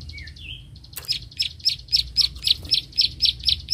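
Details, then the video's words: Bar-winged prinia clicking while confronting a rival: a couple of soft whistled notes open, then a rapid run of sharp, high clicks, roughly four per second, growing louder toward the end. "prenjak klik gacor narung lawan"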